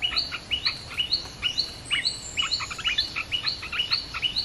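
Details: Red-whiskered bulbul singing, a recording used as a lure for wild birds: quick, regular, rising two-part chirps, about two per second, bright and clear against a faint high hiss.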